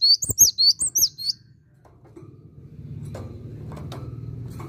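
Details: Cinereous tit opening with a brisk run of about five high, sharp two-note whistles, then stopping as steady low background hum continues.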